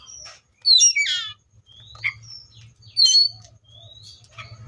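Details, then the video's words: Seychelles magpie-robin song: harsh scratchy descending notes mixed with clear upslurred whistles, delivered in short bursts over a steady low hum. "COPSYCHUS SECHELLARUM BIRDS SOUNDS LIKE IN NATURE LOUD CLEAR SOUNDS"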